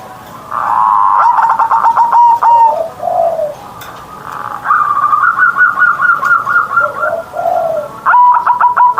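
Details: Kept zebra dove singing its morning ngerot song with a big voice. Two long bursts of rapid rolling coos are each followed by softer low notes, and another loud rolling phrase begins at the end.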